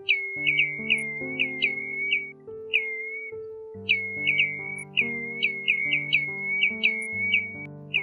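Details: Lure recording of Pacific golden plover flock calling, from 2020: two bursts of rapid clear whistles, each note a quick upward flick easing into a drawn-out level whistle, with a brief pause between, over steady low musical chords.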